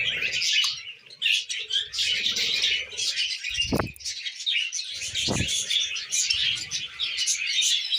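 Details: Pet budgerigars feeding on millet keep up dense, high-pitched chattering and squeaky warbles, broken by two sharp tapping knocks and some low rustling.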